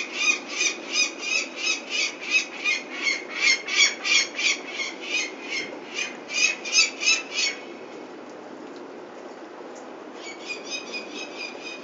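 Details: Peregrine falcons at Venlo on 21 May 2024, while the chicks are being taken for ringing: loud harsh cackling notes repeated about three times a second for seven seconds, a brief quiet pause, then the cackling resumes.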